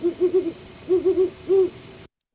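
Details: A captive female great horned owl, Alice, on an older tape recording from 2004 or later, gives soft, deep hoots: a quick run of four notes, then three, then one longer note, over faint tape hiss.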